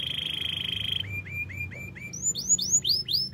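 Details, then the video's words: Canary in the wild holds a steady buzzy trill, then gives a string of short rising slurs that jump higher and grow louder, each note swept downward at its end. "melodies canary bird sounds in the wild"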